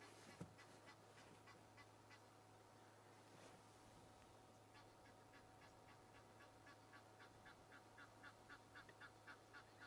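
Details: Geese calling in alarm at Djuma Game Reserve, South Africa, with impala reacting to them; after a few scattered notes, quick honks grow into a dense, hurried series, over a steady low hum.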